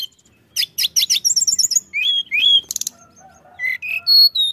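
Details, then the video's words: Pied bushchat song used to attract other birds: clusters of rapid clicking notes and a fast trill, then smooth whistled slurs, a quick rattle, and several lower and higher clear whistles. "Suara Tledekan Gunung Gacor Rapat"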